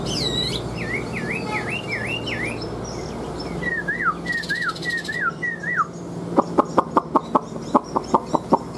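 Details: Caged Chinese hwamei kept as a songbird, newly moulted and large-bodied, singing clear whistled notes that swoop down and up in quick repeated pairs, then a second run of falling slurs, followed by a rapid series of sharp dry clicks.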